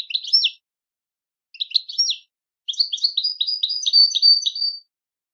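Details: Goldfinch song used for teaching: two short chirpy twitter phrases followed by a longer two-second run of rapid, bell-like, rising-and-falling notes, clean with no background noise.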